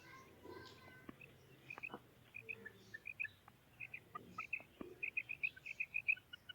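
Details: A female quail gives thin, high chirps, sparse and quiet at first, then quickening into a faster, louder run of repeated notes, over a rustling rural background.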